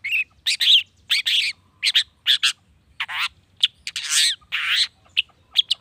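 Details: Long-tailed shrike pouring out varied harsh, chattering notes and short squeaks in quick succession, with a few longer buzzy phrases, sung to goad other shrikes into replying; light hum in the background.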